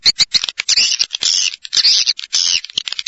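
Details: Swiftlets in a calling track that swiftlet farmers play to attract the birds: bursts of dense, buzzy high twittering broken by short gaps, with sharp clicks scattered between the bursts.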